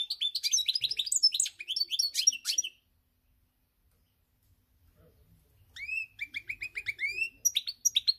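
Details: European goldfinch song recorded on 8 February 2020: bright, tinkling, high twittering phrases in quick bursts, a pause of about three seconds, then a run of repeated rising slurred notes with more chatter.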